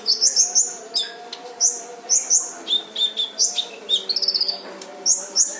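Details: Brown-throated sunbird, local name kolibri ninja, in lively harsh-burst training song: clusters of shrill high chirps, a short rattling trill around the middle, steady low hum throughout.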